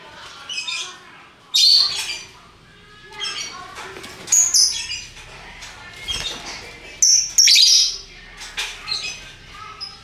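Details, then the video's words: Multi-coloured lovebirds chattering ngekek style: scattered shrill squeaks and bursts of harsh high twitter separated by quieter stretches of softer chirping. "Burung Lovebird Rupa Rupa Warnanya, Burung Paruh Bengkok, Bunyi Ngekek Gacor"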